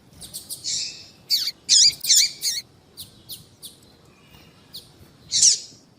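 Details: A female double-collared seedeater calls to stir up males, as used in female-call tournaments. She gives a burst of loud high chirps in close sequence, then softer scattered notes, and ends on one buzzy, rasping chirp.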